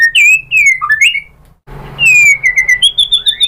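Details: Loud white-rumped shama song intended to trigger replies from other shamas: clear fluting whistles sliding up and down, a brief gap, then a long level whistle and a string of quick rising notes.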